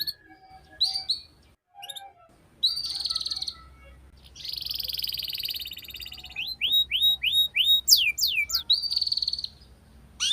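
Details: Canary master song for young birds learning to sing: faint scattered notes over a low background hum, then a long buzzy trill and a series of loud rising and falling sweeps.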